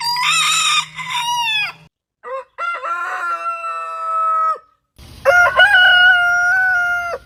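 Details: Roosters crowing back to back: a bright, high-pitched crow, then a lower one with a flat drawn-out tail, then a third loud crow with rising, wavering notes over low rumbling background.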